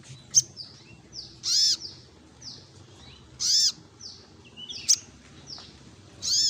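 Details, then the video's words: Sogok ontong, the olive-backed sunbird, singing in gacor ngleper style: loud, very high arched notes roughly every two seconds, separated by thin descending whistles and quick ticks. "SogokOntong Gacor Ngleper"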